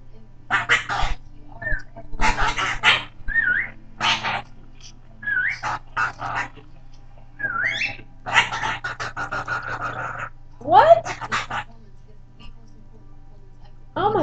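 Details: A 13-year-old male Goffin's cockatoo "talks" in his own language, chattering in harsh, speech-like bursts mixed with short rising whistles and a loud swooping squawk, while a person answers him warmly.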